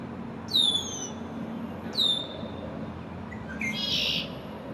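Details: An immature male Red-winged Blackbird in his first spring, visiting a downtown backyard near an excavation pond on May 1, 2024, gives two high, sharply falling whistled notes, then a brief buzzy trill, singing to defend territory over a low city traffic hum.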